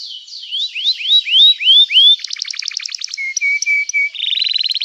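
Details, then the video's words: Canary in 'gacor cuit cuit emosi' song, aimed at prompting other canaries and reviving silent ones: a series of rising whistled slurs, a rapid buzzy trill, four steady flat whistles, and a closing fast rattle. "Kicauan Kenari Gacor Bikin Nyaut kenari lain || Gacor Cuit Cuit emosi, terapi ampuh kenari macet"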